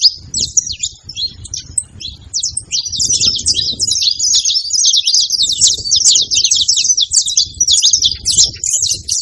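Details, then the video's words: Free-living saffron finches singing in the wild: a dense, fast stream of high, sharp chirps and twittering notes, overlapping almost without pause, over a low rumble of wind or handling noise. "festival de canto de canário da terra livre na natureza"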